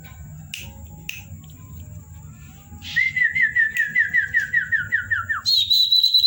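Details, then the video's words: Common iora (cipow) in lively night song with varied whistling: two short sharp notes, then a long fast trill of repeated slurred whistles slowly falling in pitch, ending in a higher sustained warble, over a faint steady hum. "burung cipow teman ngopi_gacor di malam hari_variasi siulan"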